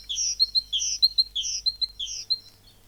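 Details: Tit voice used in a school lesson on birds: high notes grouped in rhythmic phrases that alternate upper and lower pitches, repeated about four times before fading.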